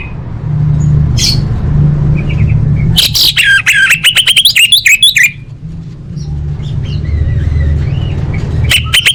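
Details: Orange-headed thrush, lure for caged birds to sing. Scattered soft chirps, then a loud two-second burst of rapid, scratchy varied notes, followed by quieter wavering whistles and a low rumbling background.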